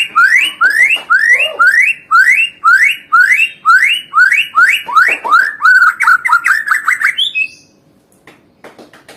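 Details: White-rumped shama (murai batu) singing to provoke rival birds: a loud whistled phrase with a rising slur, repeated about twice a second for seven seconds, then a short varied flourish and quiet.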